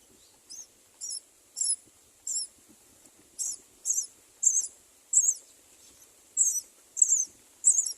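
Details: A mother Great myna (Acridotheres grandis) watching for irregularities around her nest gives a series of thin, high, squeaky notes, roughly one every half-second with uneven gaps.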